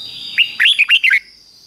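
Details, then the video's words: Caged Red-whiskered Bulbul singing the Thai 'double' (เบิ้ล) style phrase, 'fik-jik-fok', used to train young birds to copy: one quick phrase of five or six sharp, up-slurred whistled notes. A faint steady high tone runs underneath. "นกเบิ้ลอาชีพง่ายๆ ฟิก-จิก-ฟก ล้วนๆ เปิดไห้ลูกนกฟังทุกวันติดแน่นอน"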